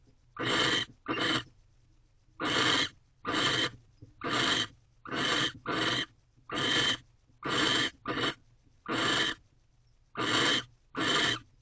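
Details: Male barn owl in a nest box at 6:11 am on 19 March 2023, courting a female by offering a new rodent; harsh broadband hisses repeated about once a second, some in close pairs, over a low steady hum.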